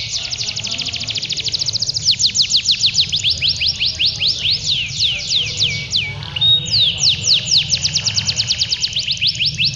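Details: Contest canaries, males, delivering continuous ngedur song at a Pondok Cabe exhibition on a Sunday in February 2016; loud, dense trills of steep falling whistles, several birds overlapping, with a brief steady tone midway and low background rumble.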